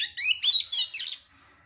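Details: Oriental magpie-robin singing to trigger arousal and aggression in another bird: a loud burst of rapid, rich chattering and warbled notes lasting about a second, then quiet.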